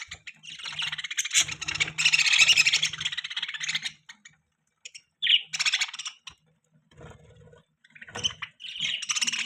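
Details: Continuous budgie chatter, rolling squeaky warbles with a clear whistled note mid-way and short pauses between phrases.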